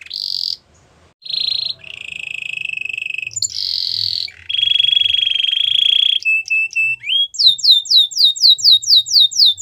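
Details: Belgian canary song used for training young canaries: long rolled trills around high pitch shifting between tours, a brief pause, then rapid repeated downslurred whistled notes at the end.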